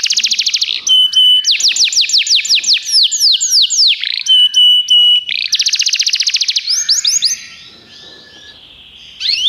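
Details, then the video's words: Belgian canary kept as a tutor ("professor") bird, singing at length: rapid rolling trills of fast repeated notes, buzzy rattles and brief steady whistles between phrases, then a quieter pause before one final trill. "professor Canário belga cantando muito - best singing"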